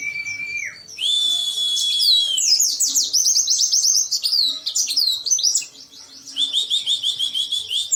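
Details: Agitated oriental white-eye belting out its song with open beak: a sustained high whistle, then dense, rapid, high twittering with sharp slurred notes and a second long whistle.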